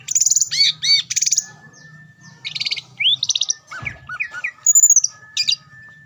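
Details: Singing greater green leafbird, a song meant to stir up rival leafbirds: buzzy trills, sweeping whistles and looping chirps in varied phrases, very high-pitched, with a faint low hum behind.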